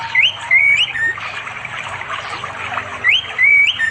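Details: Wild orange-headed thrush in East Java village forest by a flowing river, singing in the afternoon to call a female for mating. Recorded on Android: clear, rising and falling whistled phrases, repeated twice, with faint water behind.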